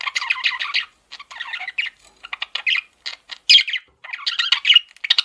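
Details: Male pet parakeet warbling in rapid, rattling chirp series and scratchy notes, with clicky bursts and a few bright whistled squeaks between short silences.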